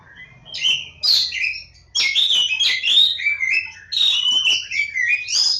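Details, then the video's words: Oriental magpie-robin (Kacer Jawa), lebakgowah, singing a loud, fluid medley of clear whistles, buzzy warbles and downslurred notes strung together almost without pause, over a soft low hum. "Kacer Jawa lebakgowah"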